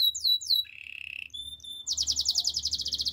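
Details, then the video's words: Gloster canary song used to train canaries: a few high downward sweeps, a buzzy lower roll, brief pure whistles, then a rapid, bright pulsed trill repeating steadily to the end. "Gloster canary singing"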